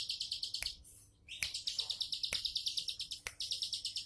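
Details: Quick, evenly repeated high buzzy notes from a bar-winged prinia in relaxed 'tembakan' style, a brief break after half a second, then a long continuous run punctuated by sharp snaps.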